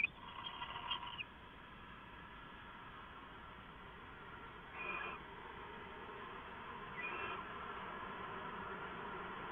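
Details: Owl near midnight, 2 September 2014, from a live camera: a rasping hiss at the start, then two fainter, softer breathy bursts several seconds apart against a steady background hiss.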